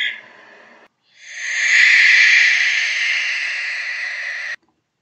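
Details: A UK barn owl, a bird that hunts over open habitat at dusk and dawn, gives a long, harsh, hissing shriek lasting about three and a half seconds, after a brief rasping note at the start.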